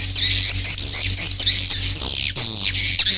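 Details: Swiftlet lure call used to attract young birds into a new nesting building: continuous shrill, high chirping and twittering in overlapping bursts over a low steady electrical hum.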